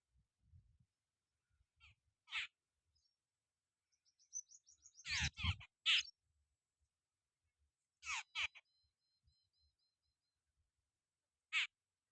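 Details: Jungle babbler eating bugs on a farm gives harsh rasping squawks in short bursts every few seconds, with brief nasal chatter between, and faint low knocks in the background.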